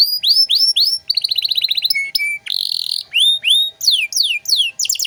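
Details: Canary delivering ornate 'cengkok mewah' song for training young birds: bouncy upslurred whistles, a tight fast trill, two low steady pipes, a buzzy rasp, then arched whistles and steep falling strokes.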